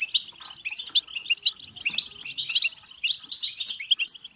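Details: European goldfinch song in the batbata style, played to stimulate goldfinches to sing, mate and become excited: rapid, unbroken twittering of liquid chirps, high tinkling notes and short buzzy trills, with no pauses.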